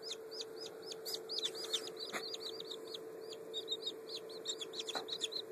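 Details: Black French Copper Marans chicks, less than a day old, on a farm, recorded 14 May 2011: a dense stream of high, thin peeps from many chicks, often overlapping, over a steady low electrical hum.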